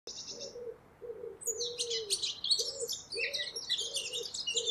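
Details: Eurasian blackcap singing a dense run of rapid, varied warbling notes after a thin opening whistle, while a dove repeats low cooing notes underneath.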